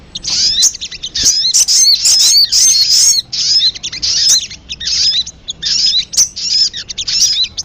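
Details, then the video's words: Lure recording of sogon, with piercing high chirps and twittering slurred notes grouped into short bursts. The bursts repeat with brief gaps between them. "PANCINGAN SUARA PIKAT BURUNG SOGON PALING DI CARI"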